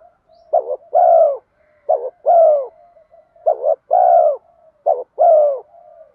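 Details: Spotted dove in 'giọng đồng pha thúc' coo style, kept to attract wild spotted doves: four rounds of a short double-pulsed note followed by a sustained, falling, mellow coo, with soft trailing murmurs between phrases.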